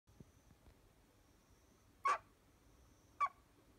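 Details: A chatty male spotted owlet gives two short, harsh screechy notes about a second apart over a faint steady hiss.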